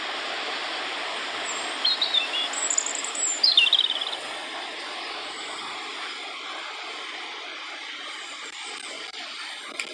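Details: A European robin in Wales, UK, recorded in 2014, gives one brief phrase of high, thin, wavering notes lasting about two seconds, over a steady rush of distant traffic or wind.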